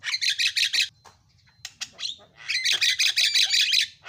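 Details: Javan myna singing with harsh, buzzy bursts of rapid chattering notes, loud at first, pausing, then a dense repeated chatter again; played to make other mynas start singing.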